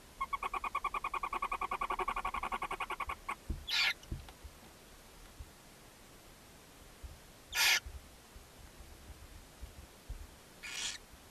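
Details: Nest box barn owls at Ságvár, Hungary, on May 4, 2024, the mother feeding seven owlets. A rapid run of pulsed, buzzy notes over three seconds, then three separate harsh hisses spaced several seconds apart.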